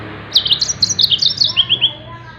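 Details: Yellow-fronted canary song for tutoring songbirds: a brief series of high chirped notes, slightly rising then falling, with a low hum behind.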